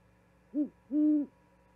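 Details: A quick hoot followed by a longer sustained one from an owl delivering a vole to its mate, calling until she responds, at an osprey nest cam in Charlo, Montana, February 2022.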